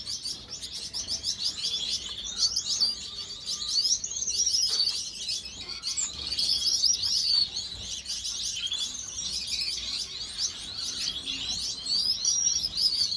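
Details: A pair of blue Gouldian finches giving a steady stream of thin, high chirps and short whistled notes, overlapping and repeated rapidly throughout, with some calls sliding upward, over a quiet background.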